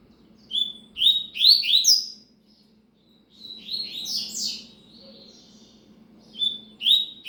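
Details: Rusty-collared seedeater singing: bursts of whistled, sharply rising and falling slurred notes, grouped in quick phrases separated by short pauses, with a steady faint low hum underneath.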